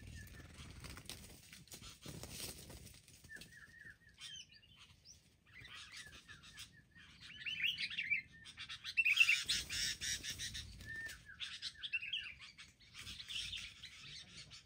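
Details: Wild sooty-headed bulbuls attacking in a group: bursts of short, bright chattering notes and quick downslurred whistles, at first sparse and then thickening into a dense, loud cluster of overlapping calls near the middle, with quieter chatter trailing off.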